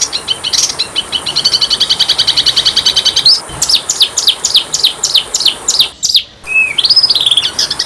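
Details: Masteran recording of Oriental magpie-robin (kacer) with small-bird fill-ins: a fast, steady high rattling trill for three seconds, then loud descending whistled strokes repeated in series, a brief gap and a rising whistled phrase.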